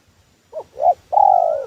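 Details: Spotted dove lure call used to attract wild doves for trapping: a short soft note, a louder rounded coo, then a long steady low coo, all mellow and hooting.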